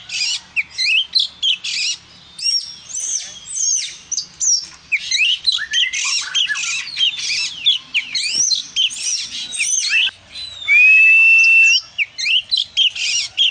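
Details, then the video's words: Lively oriental magpie-robin song, a long sequence of quick chirps, scratchy bursts and varied whistled slurs, broken near the end by a clear, steady, rising whistle before chattering resumes. "dengar suara burung kacer si gacor ini"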